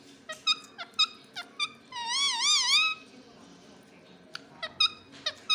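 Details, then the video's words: Pet rose-ringed parakeet indoors giving short clicky squeaks, then a drawn-out wavering, warbling tone for about a second, followed by more brief sharp notes over low room hum. "Talking Parrot"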